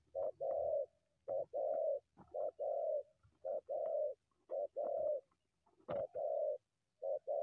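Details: A wild spotted dove leaving the bushes to challenge a decoy gives steady hollow coos, a short note then a longer one, repeated about every second, with a few faint clicks.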